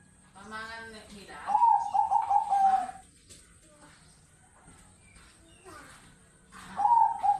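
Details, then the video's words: Zebra doves, Bangkok and local types kept at home, giving rolling, trilled, mid-pitched coos in long vibrating phrases, two bursts separated by a quieter pause. A person speaks briefly near the start, with a faint steady high whine throughout. "burung perkutut Bangkok irama dan lokal"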